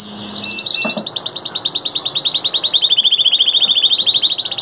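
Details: Master singing canary, one of three, delivering fast repeated syllables that glide gradually downward, then settle into a steady high rolling trill that rises slightly toward the end.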